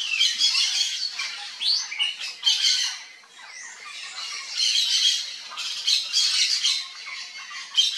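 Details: Repeated coarse, screechy squawks from a yellow-faced parrot in uneven bursts, with a short quieter gap midway before the harsh calling resumes.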